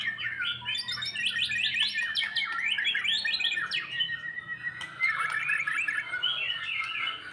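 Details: White-rumped shama after moult, its fighting mood built up bit by bit; fast series of sharp downward-sweeping whistles, then warbled rolling phrases, steady and continuous over a noisy background hum.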